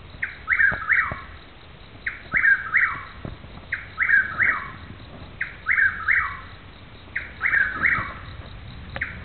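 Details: A Chuck-will's-widow, not visible, in Newton County, Arkansas, repeats its rolling, whistled chuck-will's-wid-ow phrase about every one and a half seconds, over faint low background rumble.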